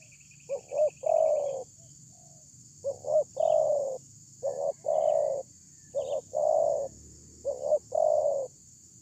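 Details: Spotted dove lure call used to draw a response from wild doves, a loud-voiced bird: repeated phrases of a short stuttered double note then a longer low hollow coo, about every two seconds, with a steady high hiss throughout.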